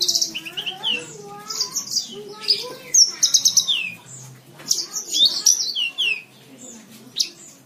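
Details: Javan bush lark in captivity, recorded as a training song for cage birds, delivers a varied, continuous medley of high whistles, slurred notes and buzzy chirps, some rising, some falling, with faint lower notes underneath.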